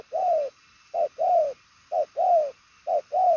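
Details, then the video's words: Spotted dove ('đồng son chân tím', purple-legged) giving the 'gù' coo in quick 'bài lối' style: a clipped lead note and a long, smoothly falling coo, repeated four times at a steady beat. "Đồng son chân tím gù quá tốt, nước xa tốc độ bài lối"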